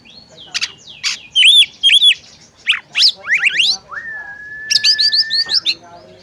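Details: Oriental magpie-robin female calling a male to make him sing. The sequence runs through chips, paired arched whistles and rising slurs, then a long steady whistle, with a fast string of repeated arched notes overlapping its end.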